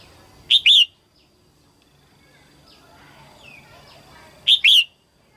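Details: Female red-whiskered bulbul singing early in the 2022 season to stimulate males: two loud, bright warbled phrases about four seconds apart, each a quick pair of slurred whistled notes, with quiet background between.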